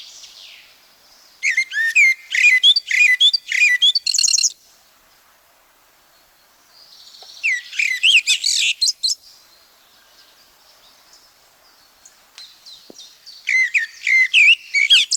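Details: In the forests of Wielkopolski National Park, Poland, a Common Blackbird sings three warbling phrases in a 1990 recording. Each phrase holds rapid whistled notes climbing into high squeaky flourishes, with quiet gaps of several seconds between them.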